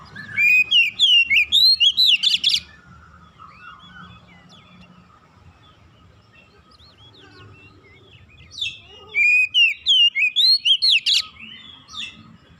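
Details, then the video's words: Oriental magpie-robin, audio played to train a young bird, giving two loud bursts of quick, varied whistled and chattering notes, each about two to three seconds long, separated by a quiet gap with faint distant twitters and low hum. "TERAPI MASTERAN KACER BAHAN"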